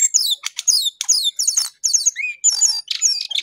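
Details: Jongkangan or cingcoang coklat, the lesser shortwing, in energetic song: dense bursts of high, descending whistled notes and sharp chips, each phrase lasting about a quarter second, repeated almost without pause.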